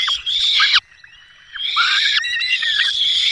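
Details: Peregrine falcons at a nest in Dolina Baryczy on 5 May 2022, the male bringing a small bird while the female feeds chicks; loud, harsh, wailing calls in long rasping bursts, a short pause, then more screeching.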